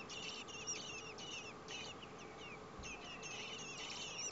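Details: Four common blackbird nestlings beg as parents deliver food to their nest in over 30 °C heat; dense bursts of shrill, high squeaking chirps come in rapid clusters with a brief pause midway.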